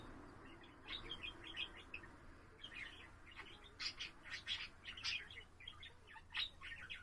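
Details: Budgerigar singing as a house pet, 7 April recording: continuous chattering twitter mixing soft chirps with harsher scratchy, buzzy notes in uneven bursts.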